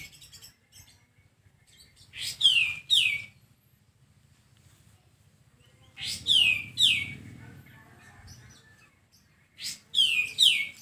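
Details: Sooty-headed bulbul, recorded as a tutor track for caged birds, gives bright downward-sweeping whistled notes in quick pairs, the phrases repeated about every four seconds, with soft chirps between and a steady low rumble underneath.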